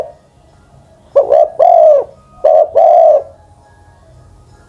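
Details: Decoy spotted dove over ten years of age coos twice in close succession, each phrase a rapid two-part note leading into a long, mellow, falling hoot, followed by quiet.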